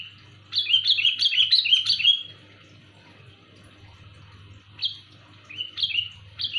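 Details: Loud, clear sooty-headed bulbul call suited to luring birds: a rapid run of bubbly, slurred notes for about two seconds, then quieter gap and more short chirpy phrases, with a constant low hum beneath.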